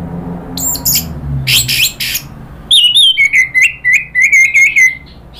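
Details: Orange-headed thrush stirred to agitated calling by a lure recording: harsh broadband rasps early, then a run of about eight short whistled notes, each dipping and rising, delivered rapidly with high chips above.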